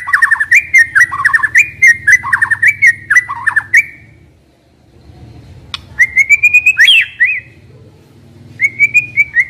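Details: Young forest white-rumped shama song to prompt young wild birds: bursts of rapid wavering whistled notes in strings, separated by a short pause, then more rising and falling whistles.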